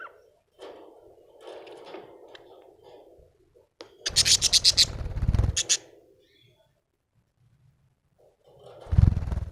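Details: Happy budgerigar giving a dense run of rapid, scratchy chirps repeated about four per second for nearly two seconds, then falling quiet, with softer murmuring chatter before and a low thump at the end.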